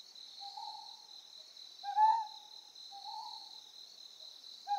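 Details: On Amami Oshima, Japan, a Ryukyu scops owl gives four short, low hooting notes at irregular intervals of roughly a second, set against a continuous high-pitched insect drone.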